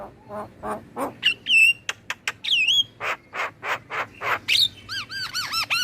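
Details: Black-winged myna song played as a singing lure for captive birds: mixed chatters and bright whistles, ending in a series of rapid, bouncing, wavering whistled notes.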